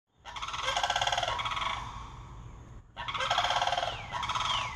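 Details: Four wild sandhill cranes visiting, very vocal: loud, rattling, rolling bugles with rapid pulsed trills, two bursts about a second long, with some thin descending whistled notes.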